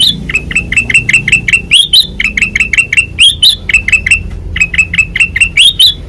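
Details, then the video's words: Kutilang emas with white eyes, singing hard in ngeplong style: dense, rapid chirps rising sharply, delivered in quick bursts with hardly a pause. "Suara Asli Ngeplong Kutilang Emas Mata Putih Gacor Dor"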